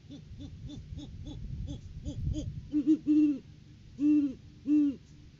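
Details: Courting great horned owls at their nest on 9 January 2023, live cam recording as the male brings a rodent food gift: a quick chain of short hoots gives way to four long, loud, deep hoots.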